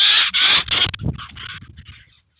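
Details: Eurasian jay with chicks at a cheese feeder, 2019: three loud, harsh rasping screeches in the first second, then a run of softer, scratchy rasps fading away.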